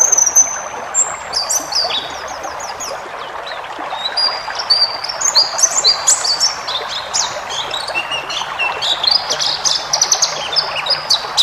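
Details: Tutor recording of a forest white-eye for cage-bird training: a few thin high whistles open, then stepped chirping phrases and quick twitters grow denser, with a continuous rushing background noise.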